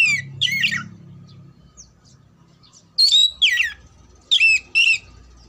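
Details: Oriental magpie-robin song for contest preparation: short ringing whistles with buzzy harmonics, in pairs, first faint then loud, with quiet gaps and a light low hum underneath.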